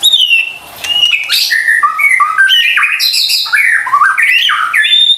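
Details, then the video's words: White-rumped shama lure song for stressed or reluctant singers, a continuous rich medley of varied whistled notes, some steady, some sweeping, delivered loudly without pause. "PANCINGAN murai batu STRES dan MALAS BUNYI seketika LANGSUNG nyaut dan GACOR dengar suara INI"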